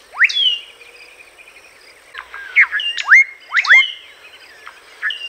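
A common blackbird sings clear, sharply rising whistled notes in short bursts, some slurred and squeaky, with pauses between phrases and a faint steady high hiss behind.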